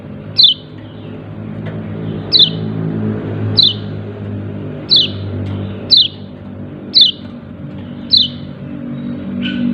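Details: Yellow-breasted white-eye repeating its "ciak ciak" call: eight sharp high descending chirps at roughly one-second intervals, over a louder rumbling low background hum.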